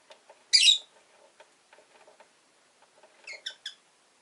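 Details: Caged rosy-faced lovebirds, orange-faced green birds, five kept in cages by a window: one loud harsh burst of chirping, then after a pause a quick run of three sharp high chirps, with soft clicking and faint movement sounds between.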